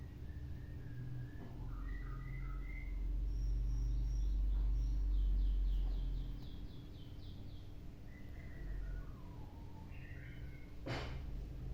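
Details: White-rumped shama singing thin, clear whistled notes in short runs that step downward, with a few higher whistled clusters, over a steady low hum and rumble, with a sharp click near the end.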